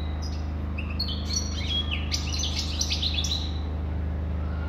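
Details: Brief burst of European goldfinch song: fast, jumbled tinkling and buzzy notes packed closely together for about three seconds, then fading, with a steady low hum in the background.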